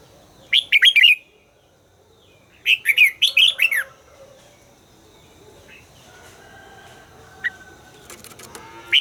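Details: Two loud warbled phrases from a red-whiskered bulbul under voice training, quick chirpy notes sliding up and down, followed by quieter scattered chirps and faint background sounds.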